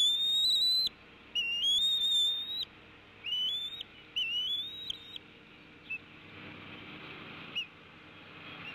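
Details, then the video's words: At a nest camera, a female bald eagle gives tea kettling calls while her mate lands and both feed their chick fish: a run of high, rising, squeaky whistles in quick bursts that fade into a few faint chips and steady hiss. "Dad ignores Mom's tea kettling & wins"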